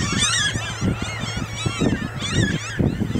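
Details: Hungry Franklin's gulls follow a tractor harrowing a field for spring planting, taking grubs, worms and arthropods, Grand Forks, North Dakota, 13 May 2013; the flock gives a busy chorus of nasal, overlapping mewing calls over steady tractor rumble.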